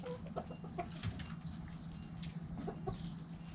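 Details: Backyard chickens in their coop making soft, scattered low clucks and murmurs over a steady background hum, several birds calling at once.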